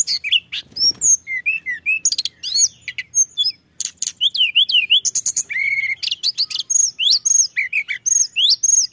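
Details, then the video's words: Pied bushchat singing energetically, used as a lure to bring in other birds: fast strings of high clicks and warbled whistles, looping wavy notes and repeated downslurred phrases pouring out almost without a break. "Suara Tledekan Gunung Gacor Rapat"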